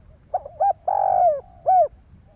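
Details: Spotted dove giving a coo phrase to stimulate other doves: brief soft notes, a short hoot, a long falling coo and a strong arched final note, in a quiet setting.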